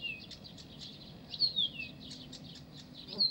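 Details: Blyth's reed warbler in Pavlodar delivering high chattering notes with a couple of smooth descending whistles. A faint low rumble lies behind the song.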